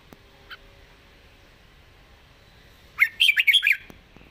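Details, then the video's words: Red-whiskered bulbul, noted for its light voice and attractive phrasing, sings a single quick run of bright, bubbling notes after a near-silent lead-in. "ดาวรุ่ง ปากเบา สำนวนน่าฟัง"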